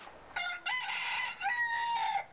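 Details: Rooster living with his five hens at Kuralan Kylämäki village hill, in the middle of the city of Turku, Finland, crowing: a harsh, drawn-out two-part crow lasting nearly two seconds, the second half held level, against quiet surroundings.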